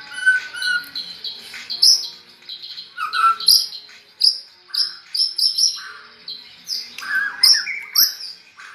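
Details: White-rumped shama raised alongside red-whiskered bulbuls, its song copying the bulbul's voice: short bright whistled phrases and clipped chirps delivered in quick succession, some buzzy high notes mixed in.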